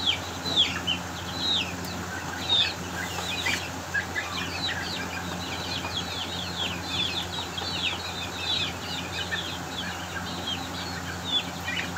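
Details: Aseel chicks fighting: a dense stream of high, downward-slurred peeps that overlap from several birds throughout, with louder chirps now and then, over a steady low electrical hum.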